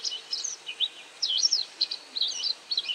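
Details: A White wagtail calling repeatedly while catching insects, possibly ground calls, gives quick, high twittering chirps, several bright bursts about a second apart, over a faint background hiss.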